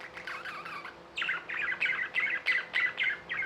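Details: Budgerigars chirp in a rhythmic series of buzzy warbled bursts, roughly three each second, after a softer opening chatter, over a low hum.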